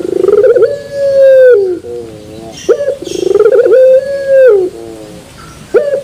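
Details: Caged-contest style puter pelung turtle dove, terasan bermetal song: two full phrases, each a rapid pulsed stutter rising into a long loud steady coo that drops away, separated by softer low harmonic coos.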